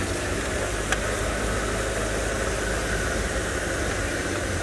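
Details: Steady idling engine rumble with broadband hiss throughout and one brief click, and no animal voice.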